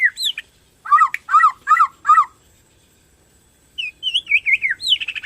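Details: Borneo white-rumped shama singing to stimulate other shamas: four loud, evenly spaced harsh double notes, a pause, then a run of quick looping whistles.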